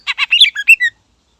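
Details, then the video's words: Short, loud greater green leafbird phrase meant to provoke rival birds, with two rough, buzzy notes followed by quick, slurred whistles dropping in pitch. "Suara Burung Cucak Ijo Gacor Istimewa Membakar Emosi Lawan"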